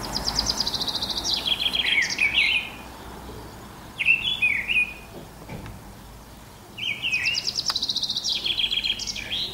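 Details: Mistle thrush song on a spring morning, March or April 2010: rich fluty warbled phrases interleaved with rapid, descending high trills of another songbird, with quiet gaps between bursts.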